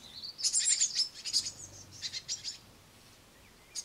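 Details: Great tit young on a window sill being fed by a parent give a rapid burst of high, hissing, scratchy chirps for about two seconds, then fall quiet against faint background noise.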